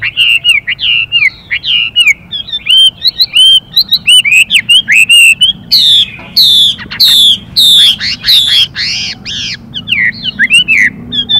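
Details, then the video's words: Chinese hwamei male and female, the male singing continuously in a varied changing-voice style with rapid female hissing calls to excite him: dense, rich whistled phrases with slurred notes, shifting patterns and sharp, falling repeated strokes. "họa mi hót Đảo Giọng liên tục kèm thêm tiếng chim mái xùy kích bổi nhanh"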